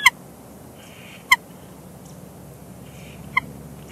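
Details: Bald eagle pair at a Big Bear Lake nest on 1 March 2021, calling together during shift changes. Three short, sharp, high chirps sound at the start, around 1.3 s and near 3.4 s, spaced apart over a steady low hiss.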